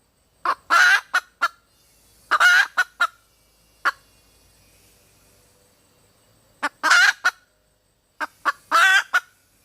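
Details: Female red junglefowl repeating phrases of a harsh, strained squawk framed by short clucks, four bursts spread across about ten seconds with quiet gaps between.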